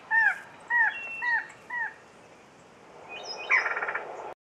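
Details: Velvet-purple Coronet, a Chocó endemic, at Montezuma in the western Andes of Colombia, November 2011, giving four short, arched chip notes about every half second, then a brief buzzy, stuttering trill; faint background hiss.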